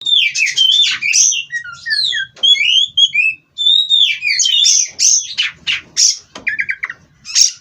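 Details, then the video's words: Oriental magpie-robin from a breeding farm, used as therapy song to steady birds on the perch: loud, fast medley of high whistled slurs, rising and falling notes and short harsh bursts, with brief pauses between phrases. "Terapi Burung Kacer Agar Stabil di Pedok. Bikin L4w4n Mbagong"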